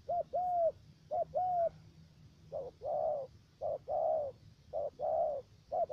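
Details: Spotted dove decoy for trapping in Khanh Hoa commune, U Minh, Ca Mau, Vietnam; three-note voice. Paired coos, a short note then a longer bowed note, come in a regular series with short quiet gaps.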